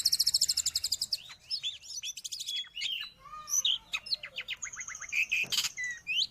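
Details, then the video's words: Long-tailed shrike (locally cendet or pentet) song for training pets or luring wild birds: a fast rattling trill opens, then a medley of slurred whistles, chirps and drawn buzzy notes. "Suara burung Cendet / pentet"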